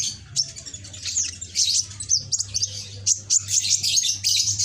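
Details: Young sunbird, red-backed and green, kept captive while practising song, produces dense, high, rushing twittering and jumbled chirps almost without pause, over a faint low drone.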